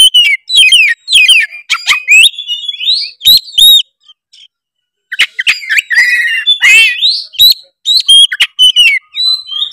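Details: Oriental magpie-robin of the Tretes type delivering a rich, varied song used to provoke competing birds: rapid whistled phrases, rising slurs and harsh rattling notes, broken by a brief pause midway.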